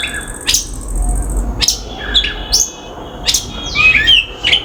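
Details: Common myna visiting a backyard in India, giving varied calls: sharp clicking notes and short whistles spaced about a second apart, with a falling, slurred whistle near the end, over a quiet background.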